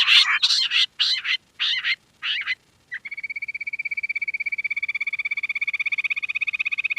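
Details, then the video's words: Quail giving several harsh, chattering notes in a row, then switching to a long, rapid, even trill with a ringing, metallic tone that runs steadily for about four seconds. "Queen quail sound || Lohari ka Awaaj"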